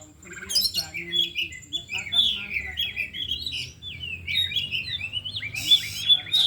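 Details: Four caged oriental magpie-robins trained in the afternoon, all singing and displaying isian. A long continuous flow of mixed whistles, chirps and slurred notes, with a loud harsh burst near the end and soft background voices.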